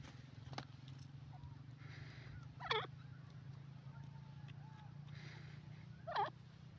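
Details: Teetar, the grey francolin, giving two short, harsh, ringing call notes about three and a half seconds apart against a steady low rumbling background.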